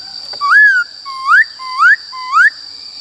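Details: White-cheeked laughingthrush song in the forest style: four clear rising whistles, each slurring upward, spaced about half a second apart, against a steady high electronic tone.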